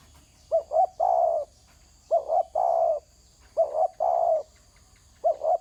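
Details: Spotted dove calling from the ground: repeated three-part coo phrases, two short rising coos then a longer drawn-out coo, about every one and a half seconds. A steady high buzz sounds faintly behind it.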